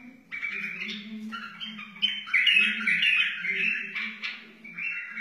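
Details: Song of a wild white-eared bulbul: a continuous chain of throaty, bubbling warbled notes, rising and falling in quick liquid phrases, with a soft low drone beneath.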